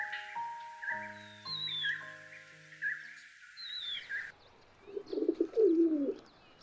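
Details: At a city balcony birdbath, soft instrumental music and high small-bird chirps give way to a rock pigeon's low, rolling, throaty coos in the last two seconds.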